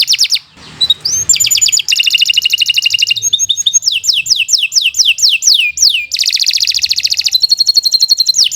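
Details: Long, varied canary song intended for training young or non-singing canaries: dense rolling trills, rapid clicking runs, and a string of falling whistles, with the notes changing every second or two.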